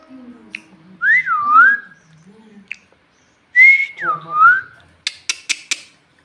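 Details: Pet talking parrot that the owners call a Bhojpuri speaker, filmed while hungry and asking for roti. Two loud whistles, each rising, dipping, then sliding down, are followed by a quick series of sharp clicks and snorts in a quiet room.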